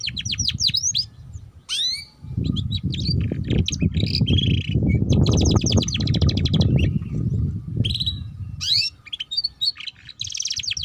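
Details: Young canary learning to sing, giving scattered high chirps, sweeps and a buzzy trill, largely covered by a loud low rumbling noise through the middle of the recording.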